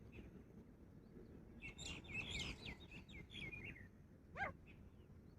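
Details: A female grey francolin gives a quick run of sharp, high chirping notes, then two isolated squeaky calls, over a steady low rumble of background noise.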